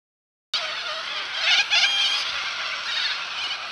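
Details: Cockatoos on the Balerine, Victoria: after half a second of silence, a dense, continuous wall of harsh, grating screeches from many birds, swelling briefly with louder rasping cries.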